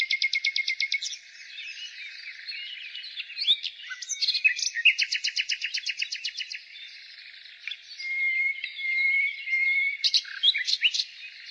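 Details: A nightingale sings in spring. Buzzy, fast-repeated trills open the phrase, and later strophes mix sharp clicks, rattles and a long, thin, steady whistle. Faint chatter from other birds runs underneath.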